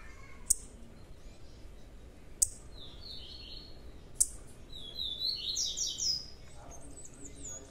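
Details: Young blue-black grassquit producing three sharp, explosive clicks about two seconds apart, interspersed with high buzzy chirps and a longer rasping trill near the end.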